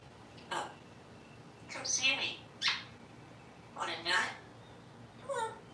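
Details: Pet African grey parrot on a back porch, begging for a cookie, nuts and grapes and gesturing with its foot. Five short, bright speech-like bursts with sharp high overtones, separated by pauses, over a quiet background.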